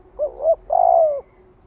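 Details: Single cooing phrase from a spotted dove decoy luring wild doves to fight: a quick wavering double note followed by a longer, steady, husky low coo.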